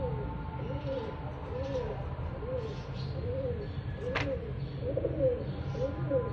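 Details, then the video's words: Bird giving soft, arched, cooing notes roughly once a second against a low background hum, with one sharp click partway through. "cute birds sound"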